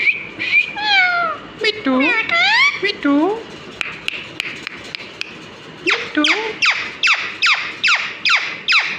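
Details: Talking pet parrot imitating human phrases, with rapid harmonic, speech-like syllables rising and falling in pitch, followed by a run of sharp downward-sweeping squawks repeated roughly twice per second.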